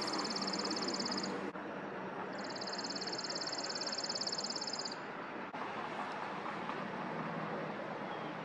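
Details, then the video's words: A Chipping Sparrow sings two dry, rapid, high-pitched trills on one steady pitch, each lasting a few seconds, over a steady rush of traffic-like background noise. "Chipping Sparrow singing"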